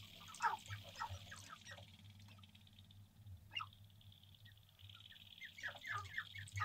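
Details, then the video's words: Courting male sharp-tailed grouse at an April lek in central North Dakota before sunrise, 2021: clusters of quick clucks and chatter open and close the recording, with a quieter stretch between, over a constant high-pitched hum and low background drone. "Sharptail grouse on the lek"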